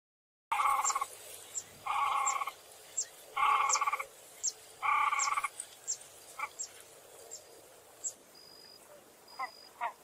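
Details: Great crested grebe (Podiceps cristatus), call.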